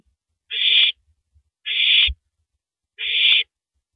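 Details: Owl eating a large rabbit at 3:33 AM, April 9, 2012; three loud, breathy rasping screeches about 1.2 seconds apart, with one dull thump after the second.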